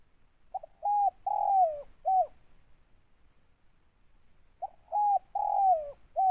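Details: Local spotted dove with a big voice, singing in the ngeruk style with tindan: two phrases of clipped cooing notes, each built around a long, loud note sliding downward, separated by about two seconds of quiet.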